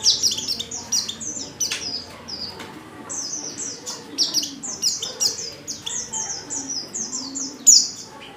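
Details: Lure calls of a female Oriental white-eye to prompt males to sing: strings of high, thin downslurred chirps, some in rapid sequences, with a quieter low rumble beneath.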